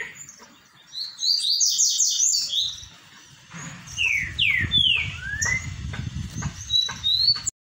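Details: Green-winged saltator giving its '3 notas boi' song: loud, clear whistled slurs, some falling, some rising, after a burst of rapid high chirps, with a low rumble underneath.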